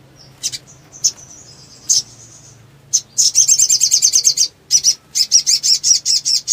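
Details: Black sunbird, known locally as sogon, in full ngleper song meant as a lure for birds that stopped singing: a few isolated high chips and a thin buzzy note, then long bursts of rapid, pulsing high trills.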